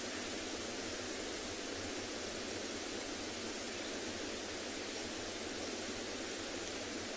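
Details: Steady broadband hiss like a running engine or vehicle during an afternoon safari in South Africa, with no animal calls audible.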